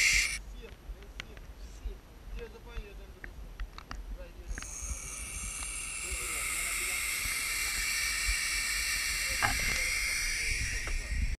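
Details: Owl chicks making an eerie, drawn-out breathy hiss that starts about midway and runs steady and unbroken to the end; the opening seconds hold only faint clicks and a low rumble.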